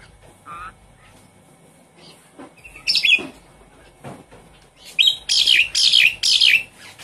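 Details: Javan pied starling lure song for a kept bird that has stopped singing: quiet scattered notes at first, then a harsh rasping burst and a run of five loud, scratchy, rapid phrases.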